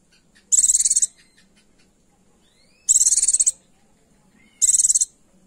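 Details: Female Oriental white-eye giving a come-hither call to a male: three half-second bursts of very high, rapidly pulsed buzzing, spaced about two seconds apart, over a quiet background with faint thin notes.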